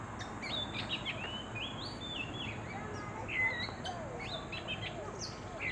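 Oriental magpie-robin giving a run of varied sweet whistles and short rising and falling notes, over a steady hum of background noise.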